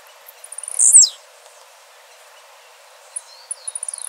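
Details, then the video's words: Blue-black grassquit (Volatinia jacarina) in the wild gives one sharp, high, buzzy note that slurs downward, then faint high ticks near the end over a quiet background. "Tiziu azulado dando um verdadeiro show na natureza de canto"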